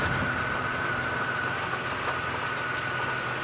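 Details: Evening safari drive on April 6, 2017, with a vehicle engine idling and a steady whining tone throughout, and no animal calls.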